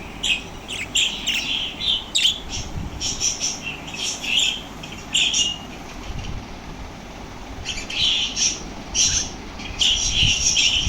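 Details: Lovebirds growing lively on hearing lovebird sounds, with bursts of shrill, rasping chirps that come in clusters, a quieter stretch in the middle, then renewed chattering, over a low background rumble.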